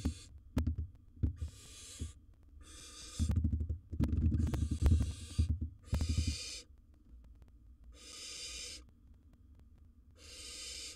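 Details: Wild barn owl in a monitored nest box, filmed swallowing large prey: long, harsh, breathy hisses of about a second each, repeated in a loose series, with loud thumps and scuffling from movement inside the box.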